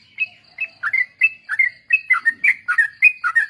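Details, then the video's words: Sooty-headed bulbul song meant for training other birds in ombyokan and ropel styles: a few soft lead-in notes, then dense run of bright, warbled two-note phrases, accelerating and closely repeated, with a faint low rustle midway. "suara burung trucuk||pancingan bahan ombyokan dan ikut ropel"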